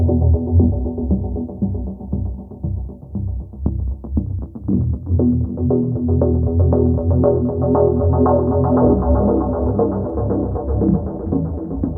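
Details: Throbbing electronic dance music with a steady beat and no animal sound.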